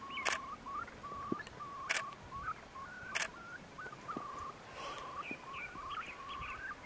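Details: Far Eastern curlews courting in early May 2016 on the Bira river, Jewish Autonomous Region, Russia, with a male pursuing a female: a run of short, clear whistled notes, some slurred up or down, about two a second, with a few sharp mechanical clicks.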